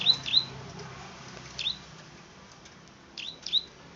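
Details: Plain prinia, locally called the klik-klik or field bird. Only a few sharp, high clicking notes, two close together at the start and then scattered singles, over a faint steady background hiss.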